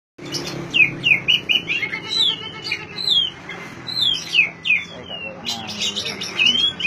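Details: Oriental magpie-robin song played to prompt silent magpie-robins to sing: a run of clear whistled notes, many sliding downward, given in short phrases with brief pauses, over a low steady hum.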